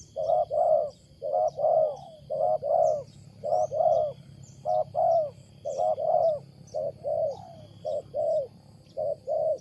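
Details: Wild spotted dove cooing loudly and oddly: rolling, slightly trilled coos in quick clusters, some slurring downward, with faint twittering birds in the distance.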